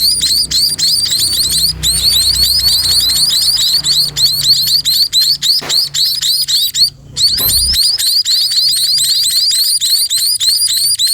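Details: Sparrows being fed, giving an almost continuous stream of shrill, rising chirps at roughly four per second. One brief pause breaks the stream, and a soft low thud is heard partway through.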